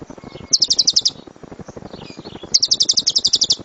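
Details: Lovebird singing the thunderous 'suara gemuruh tembakan' style used as a master recording to train birds: two short bursts of fast, shrill chattering chirps with soft twittering between them.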